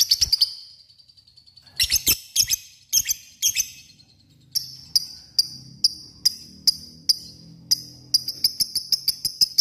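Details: Lovebird calling an opponent, provoking others into ngekek: sharp, high chirps in separate bursts, then evenly spaced short chirps about every half second, growing quicker toward the end.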